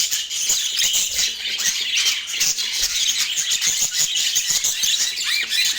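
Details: Budgies in Portland warbling nonstop, a bright, crowded mix of piping whistles, squeaks and chirps with scattered clicking sounds underneath.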